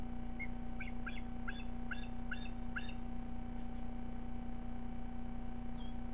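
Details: Juvenile bald eagle perched out of view in the attic of its nest, calling periodically around 5 pm on 13 July 2012: six short, high, downslurred piping notes in under three seconds over a steady electrical hum.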